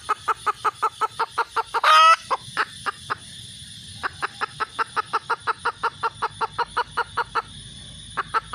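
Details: Red junglefowl hen giving a long run of sharp, evenly spaced clucks about four per second, broken by one loud harsh squawk near the start and a brief pause mid-run.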